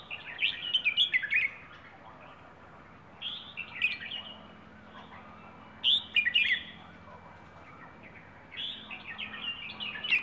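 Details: Rayong wild bird delivering its plai ho song style: four separated bursts of bright, fast chirping and warbling notes, each about a second long, spaced by short quiet gaps with soft background hiss.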